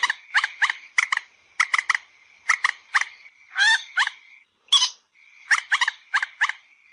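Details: Common moorhen call played to lure birds for hunting: harsh, crackling notes delivered in tight clusters of two or three, the clusters repeated roughly every second over a faint steady tone.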